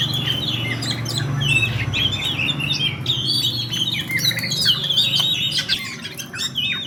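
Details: Oriental magpie-robin in fighting mode, giving a busy rolling song of sharp chirps, squawks, and quick whistled phrases, over a steady low hum and background noise.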